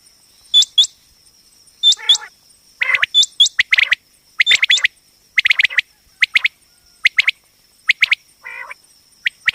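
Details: Female common quail, the batair ki awaz hunting sound: rapid series of sharp, hooked chirps in pairs and triplets, some upswept high notes, plus a brief raspy burst, over a constant thin high-pitched background tone.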